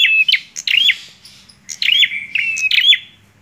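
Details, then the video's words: Bar-winged prinia singing vigorously: sharp, clicking chirps that run into short, flat, buzzy trills, in three quick bursts over a few seconds. A faint low hum sits underneath; no other birds are heard. "PRENJAK KLAWU GACORR"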